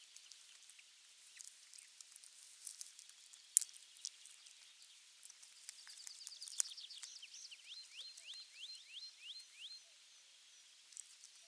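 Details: Osprey at the nest, nest camera 3, on 23 June 2020 as a half-kilo crucian carp arrives for the morning meal; quiet ticking, then a run of high whistled notes easing into upward-sweeping squeals.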